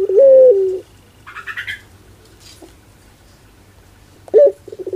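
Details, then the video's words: Ringneck dove in the pelung style finishing a long, flat drawn coo, followed by a pause filled with rustling and a brief squeaky noise, then a fresh sharp rising note and stuttered coos. "Suara LUCU PUTER Pelung"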